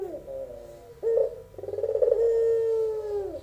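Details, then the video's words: Barbary dove song from a young albino bird of the pelung type: a fading coo, then a rough burst, rapid stuttering pulses and one long smooth low note sliding down at the end. "puter pelung suara merdu"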